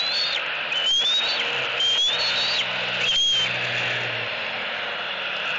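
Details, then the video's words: Hungry young eagle in Southwest Florida screaming for fish from its mother. Three short, high, thin whistled squeals over a steady rushing noise, with a low hum underneath. "Screaming E11"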